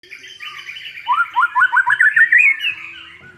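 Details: White-rumped shama in full, vigorous song, used as a lure to provoke a silent bird into singing: a rapid run of about eight loud, clipped notes stepping upward in pitch over a second and a half, with softer warbling before it.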